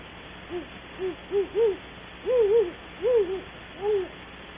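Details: Great horned owls hooting around 3 am at Audubon Starr Ranch, California, picked up by a ranch webcam: a run of low, soft hoots, some short, others drawn out and doubled, spaced less than a second apart over steady background hiss.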